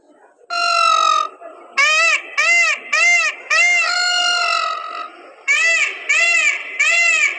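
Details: A dancing peacock gives loud, nasal, ringing wails: two drawn-out notes and two quick bursts of three shorter arched cries, with little else heard.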